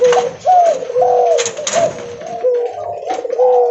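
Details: Loud, vigorous coos of a spotted dove, called derkuku leopard, given while walking. Mellow notes swell and dip in a continuous, overlapping sequence over light background rustle.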